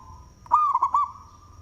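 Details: One short phrase from a loud local zebra dove: a sharp clipped note then a run of rolling, looping coos lasting about half a second, with a faint steady whine behind.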